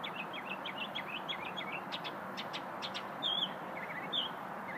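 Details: Small unidentified songbird singing during a lunch break. A run of quick, high chirped notes leads into thin, sharp ticks, then two louder wavering whistles, all over steady background hiss.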